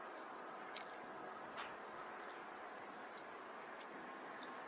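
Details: Long-tailed Tit, called the snow fairy in Japan, in winter in Hokkaido, filmed with a Nikon Coolpix P950: thin, very high, brief notes scattered a second or so apart over a steady broad hiss.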